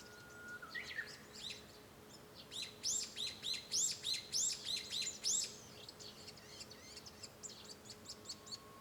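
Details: Japanese bush warbler singing, heard from a room at home on 5 May 2013: a low whistle near the start, then a fast run of high, sharp, repeated notes for about three seconds before a quieter tail of notes.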